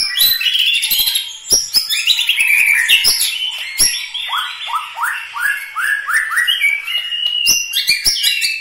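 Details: Loud, varied song of a White-rumped shama from Medan, Bahorok, Bukit Lawang: rich whistles, then a series of repeated downslurred notes about twice a second, with sharp clicks throughout.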